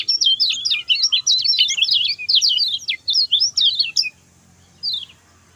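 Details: Rapid high chatter of a lemon-bellied white-eye in short 'speed pendek' style, meant for tutoring other birds: about four seconds of tumbling sharp notes, then near-silence broken by one thin final chirp.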